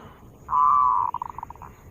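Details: Zebra dove used to lure birds: one drawn-out, steady mid-pitched coo that breaks into a quick run of short, fading staccato notes, over a quiet background.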